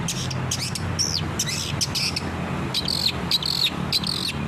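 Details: Long-tailed shrike in active song, used to train captive birds: irregular harsh chatter and arched whistles, then a series of ringing, buzzy phrases repeated every few tenths of a second.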